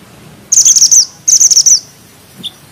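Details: Lively mantenan gunung bushchat delivering two quick, high, rattling trill phrases of about half a second each, followed by a single soft chip.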